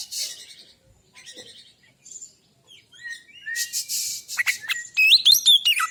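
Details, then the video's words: Male white-breasted Oriental magpie-robin song used as a lure to encourage another bird to sing. It opens with soft scratchy notes and gaps, then builds into harsh grating bursts and loud, sharply rising and falling whistles. "Suara burung Kacer"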